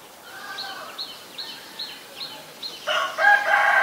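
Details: Common myna at Ubon Ratchathani, Thailand, 20 March 2022, recorded on a Nikon P1000: a string of six short high notes about every 0.4 seconds, then loud harsh, chattering, rasping calls.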